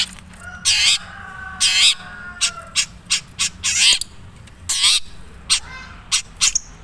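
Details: Long-tailed shrike (cendet) from Madura, natural voice: loud grating rasps at irregular intervals mixed with short clipped notes and a thin high whistle.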